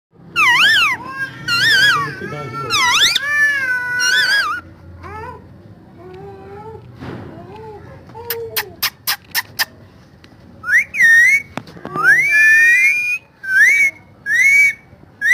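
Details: Pet parrot talking: loud, tonal, wavering phrases with speech-like rises and falls in bursts, mixed with a person's voice, a series of sharp clicks in the middle, and squawky imitated syllables near the end.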